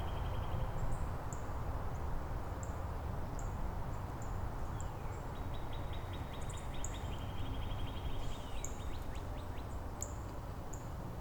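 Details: Neighbouring Northern Cardinals in Angrignon Park exchange song variants; a level whistle opens, then a long run of quick upward-slurred whistled units follows midway, with frequent high thin notes from another bird and constant low rumble.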